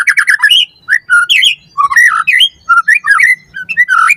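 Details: White-rumped shama song for training captive birds: fast chattering notes, then varied whistled slurs and warbles, loud and rich, delivered in quick irregular phrases.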